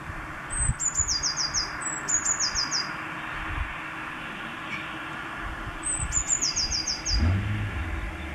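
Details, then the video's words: Eurasian blue tit singing on 10 April 2020: three phrases, each a couple of thin high introductory notes dropping into a quick descending trill, about a second long, over a low rumbling background like passing traffic. "Blaumeise ♪♫♪"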